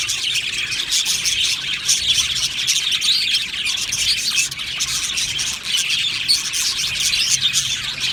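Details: Budgerigar colony in an aviary, many birds chirping at once: a dense, continuous wash of high, scratchy warbles and squeaks overlapping without pause, steady in loudness throughout.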